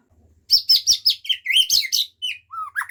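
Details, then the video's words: White-rumped shama singing its learned fill-ins: a rapid run of about ten high, ringing, slurred notes. The run is followed by lower whistles that rise and fall, with a faint low hum behind. "Murai bongkar isian"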